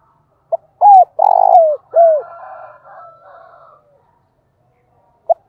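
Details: Decoy spotted dove calling loudly: a clipped note, an arched coo, a long vibrating coo and a falling coo. A faint drawn-out call from another bird follows, and a short coo closes the section.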